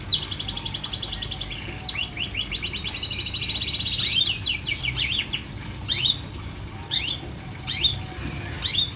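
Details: Caged long-tailed shrike singing without a cage cover: fast, even rattling trills over the first four seconds, then separate sharp, high downslurred whistles spaced about a second apart, over steady low background hum.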